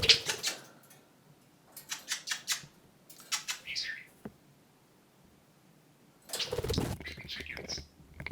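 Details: A pet talking budgerigar chatters in rapid, scratchy, high-pitched bursts of mimicked speech and kissing sounds, in four short spells with quiet pauses between, alongside a second talking budgie.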